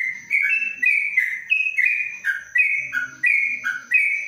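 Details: Caged yellow-vented bulbul singing the long 'ropelan' song style inside a covered cage: clear whistled notes stepping up and down in short rising and falling phrases, delivered in an unbroken run, with a steady faint high tone behind.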